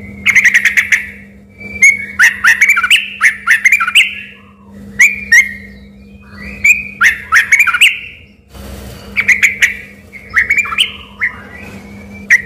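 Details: Sooty-headed bulbul in full, vigorous song, whose voice residents first took for a white-rumped shama: bursts of bright whistled notes with quick up-and-down slurs, phrases repeated after short pauses, over a steady low hum.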